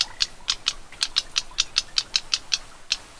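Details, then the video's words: Black-browed reed warbler lure call: a steady series of dry, sharp ticking notes, about five per second with a short pause near the end, clear over a quiet background. "เสียงต่อ นกพงคิ้วดำ (Black-browed Reed Warbler) Voice Call"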